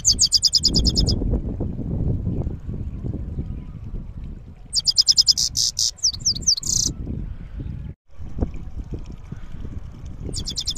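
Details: Goldfinch singing in the rolling 'rizdar' style: bright, high, rapid rolling trills and twittering phrases in three bursts separated by pauses, over steady low rumbling background noise.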